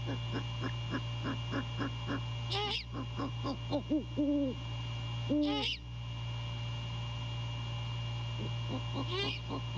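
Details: A great horned owl male calls to his mate at night while inspecting the nest, January 2022. Low hoots sound in a loose cluster midway, with raspy high bursts, a rapid pulsed chorus and steady hum around them.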